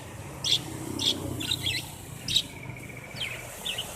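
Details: Canary singing in short bursts: several separate high, sharp chirps spaced about half a second apart, then a fast, even, level trill and a final brief twittering note, over a low steady background hum.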